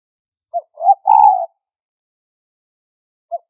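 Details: Trapping lure of a spotted dove, pitched high. One full phrase is heard: a short note, a swelling rising hoot and a long coo. A single clipped note opens the next phrase near the end.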